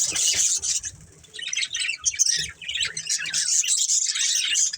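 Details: Family of budgies in captivity chirps steadily, high twittering warbles rising and falling with a short quieter lull in the middle.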